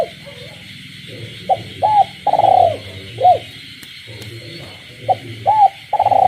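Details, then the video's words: Kept spotted dove cooing at night in the countryside beside calling frogs: short hooked coos, then a long rolling purr and a final coo, phrase given twice, over a steady high frog chorus and low background hum. "cu gáy trong đêm, cu nuôi avi gáy ban đêm hòa cùng tiếng ếch nhái đậm chất làng quê"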